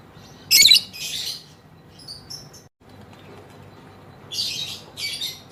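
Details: Female lovebird calling in 'ngekek' style: a loud harsh chirp burst followed by a softer one, a quiet stretch, then two more rasping high bursts near the end.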